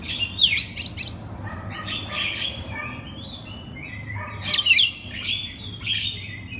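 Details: Oriental magpie-robin master song for other magpie-robins to imitate: buzzy, scratchy phrases mixed with thin sliding whistles in two main bursts, over a steady low hum.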